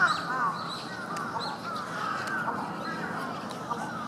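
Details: Flock of bramblings in Yoyogi Park, February 2017: dense overlapping nasal chattering calls, many short arched notes running together continuously, with a faint higher twittering layer.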